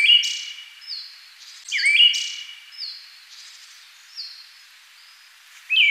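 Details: Siberian thrush giving repeated short phrases, each a sliding bright note plus a thin high whistle, with softer high notes and chirps from other birds filling the pauses.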